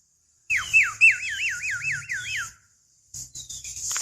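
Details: Lure recording of a female Javan myna calling a male: a looping whistled phrase, about seven curling notes that dip and rise in quick sequence, then a pause and soft scratchy chatter.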